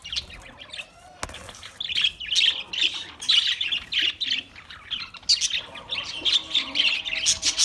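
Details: Australian parrot chatter: a sharp click, then steady fast squeaky chirps repeated in quick bursts, strongest toward the middle and end.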